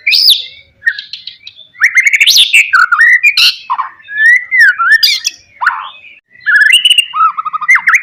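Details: White-rumped shama, Pastol-style provoking song for rivals: continuous rich warbling with slurred whistles, harsh squawky notes and quick mimic-like phrases, rising and falling throughout.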